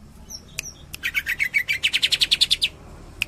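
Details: Greater green leafbird (cucak ijo) from Cililin singing in tembakan style: a rapid run of about fifteen chattering notes that speed up, rise in pitch and grow louder, with a couple of isolated clicks before and after.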